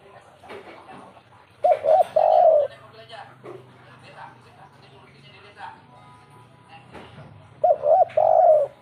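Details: Derkuku, or zebra dove, 'kuk 3' calling: two brief bursts of warbling, rolling coos several seconds apart, with faint voices, soft music and a low background hum between them.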